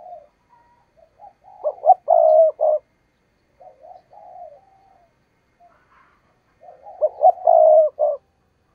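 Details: Decoy spotted dove used to lure wild doves for trapping, giving the urging 'thúc gù' coo: two bursts of low, throaty, rolling coos, each with a few soft lead-in notes and a pause of about four seconds between them.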